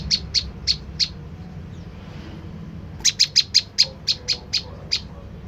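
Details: Olive-backed tailorbird lure call for provoking a reply: four sharp high chips, a short pause, then a faster run of about ten bright chipping notes, over a faint low hum.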